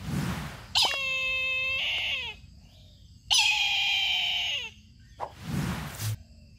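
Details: Brahminy kite calling twice: long, wheezy, nasal mewing cries with strong overtones that slide downward at the end. Soft rustling noise comes before and after.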